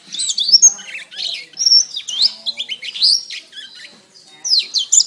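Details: Canary song used as masteran tutoring material: a continuous, rapid flow of high twittering notes, sharp slurred whistles and brief buzzy trills, varied from phrase to phrase.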